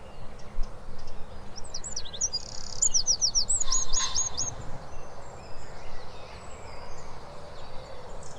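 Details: A Wren delivers a loud, machine-gun rattling song: high, piercing notes rushing into fast trills for about two and a half seconds, followed by a faint distant reprise and steady low background noise.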